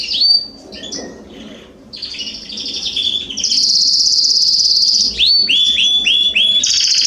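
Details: Garden canaries singing, September 2020: varied high chirps, then a long steady buzzy roll held for over a second, followed by a run of quick upswept whistled notes.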